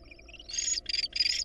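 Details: Barn owl at a nest where an intruding female attacked the nestlings before the father returned with a rat and drove her off; three harsh, hissing screech bursts, each under half a second, follow faint thin tonal notes over low background hum.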